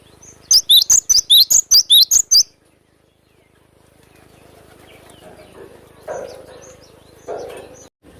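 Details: A wild cinereous tit delivers a burst of about eight sharp, high, rapidly repeated slurred whistles in lively besetan style, lasting two seconds, followed by a long stretch of quiet natural background with faint distant rustling.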